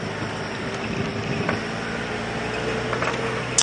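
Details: Steady vehicle engine hum with faint knocks and a brief click near the end, and no animal calling.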